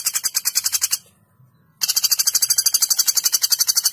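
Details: Common flameback giving a long, sharp trilling call used as a training recording: fast, even, very high rattling notes, a short silent break, then the rapid rattle resumes without change.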